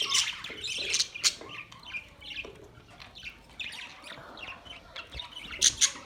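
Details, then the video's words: Budgies give bursts of scratchy chirps and sharp squeaks, separated by quieter pauses, with a few sudden louder squawks near the end. "Beautiful budgies Birds chirping sounds"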